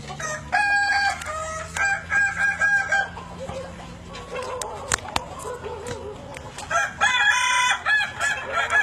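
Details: Evening crowing of a Kukuak Balenggek chicken, an endemic Indonesian breed: bursts of choppy, multi-syllable crowing near the start and again at the end, with softer background clutter between.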